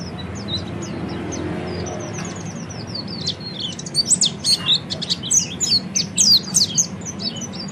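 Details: Oriental white-eye in a ngeriwik-style training song: soft scattered high chirps at first, then a louder rapid burst of sharp, thin twittering notes in the second half, with faint background hum.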